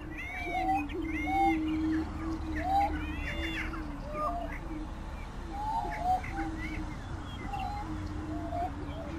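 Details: Greater prairie-chickens (Tympanuchus cupido): a steady, low, hollow moaning hum runs throughout, overlaid by frequent short whooping and cackling calls from several birds.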